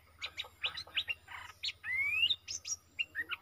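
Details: A very old caged bulbul used as a fighting lure, 31 December 2021: clipped chirps, then a long rising whistle, then more short twittering notes, with a steady low hum underneath.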